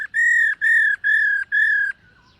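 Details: Black-throated laughingthrush practising its morning song while dancing: four long, level, pure whistles of even length, each about a third of a second, given in steady succession before a faint trailing note.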